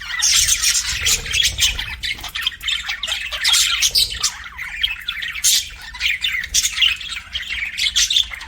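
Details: Pet budgies keep up a loud, steady warbling chatter of squawks and twittering chirps from several overlapping birds, with a low rumble early on.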